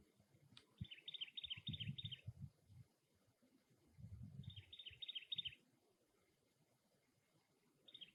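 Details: Cactus wren at its nest, giving three bursts of harsh, rapid, grating notes, each about a second and a half long, spaced several seconds apart, over low rumbling background noise.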